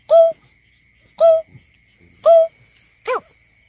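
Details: Greater painted-snipe call used to lure birds during surveys: three even, mellow hoots about a second apart, then a shorter, rougher arched note, over a steady high-pitched electronic hum.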